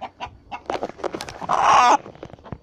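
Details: Mixed-breed farmyard chickens give harsh, loud distress squawks while roosters are being weighed, one long raucous scream rising above short clucks.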